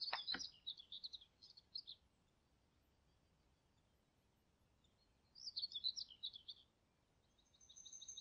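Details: Wild Common kingfisher, Niepołomice Forest, Poland, July 2020, gives a quick run of shrill, high chirps, falls silent, repeats a second burst of rapid piercing notes, then holds a thin, level high whistle.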